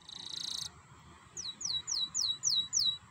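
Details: Canary song played as a lure to stir canaries into singing: a short high buzzing note, a pause, then six clear downslurred whistles spaced about a third of a second apart over faint background hiss.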